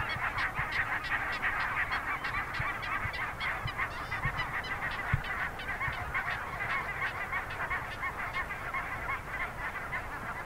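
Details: Dense chorus of geese honking continuously in a goose colony, with many overlapping nasal calls, while a small polar bear cub is among them.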